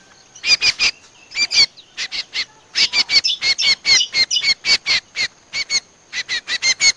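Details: Playback lure sound for trapping Common Iora, known locally as cucak combo or kecial combo: dense runs of rasping, chattering notes repeated quickly, pausing briefly between groups, on a quiet background.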